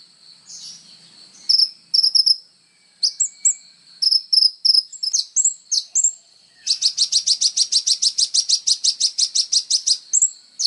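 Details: Kolibri ninja sunbird in full song, meant as training material for songbirds: spaced high chips and short whistled phrases, then a long rapid run of buzzy repeated notes lasting about four seconds.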